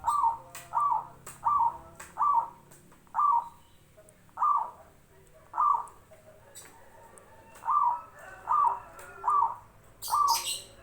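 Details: Zebra dove singing in a steady series of brief rolling coos, around thirteen notes at mostly even spacing, with sharp clicking sounds between them and a short hiss of noise near the end.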